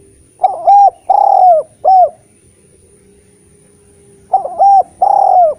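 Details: Eurasian collared dove singing, a recording intended to tempt spotted doves into song. Two loud three-note coo phrases, the drawn-out middle note sliding down, separated by a quiet stretch of about two seconds.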